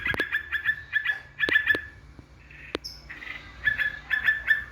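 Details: Yellow-vented bulbul calling, used as a lure to provoke rivals: clusters of short bright chirps with loud clicks, a quieter nasal pause, then more quick chirp groups.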